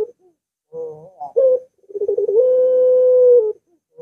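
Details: Barbary dove (puter), long-voiced type, played to set a silent dove singing; brief wavering notes and a sharp coo lead into quick pulsed notes that merge into one drawn-out level tone.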